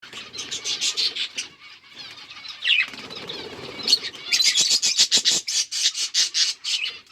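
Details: Budgies eating seeds on October 30, 2023, chirping in dense high chatter, with rapid bursts of short notes repeated several times a second and quieter rustling between runs.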